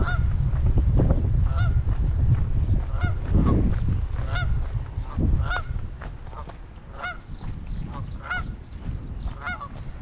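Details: Canada geese forming a protective ring around goslings on a Michigan pond, spring 2021; a run of repeated honking notes, several per second at times, some overlapping, with constant deep wind noise beneath.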